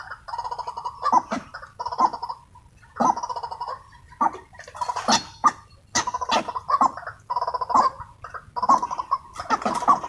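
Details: Harsh, croaking call bursts from wild white-breasted waterhens excited by a trapper's decoy, delivered in choppy groups of rapid notes with brief gaps, interspersed with sharp cracking noises.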